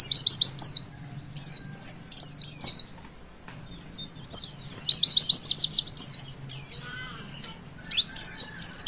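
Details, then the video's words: Javan white-eye performing witwit song to stimulate young birds: clusters of fast high chips and twittering whistles come in uneven bursts with short pauses, over a low constant hum. "Pleci Bakalan Ikutan WITWIT ga pake lama Bikin Gacor!!!"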